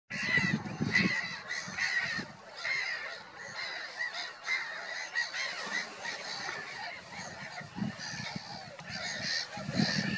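A dense chorus of many black-headed gulls gives harsh, grating, overlapping cries without pause, with low rumbling gusts of wind underneath.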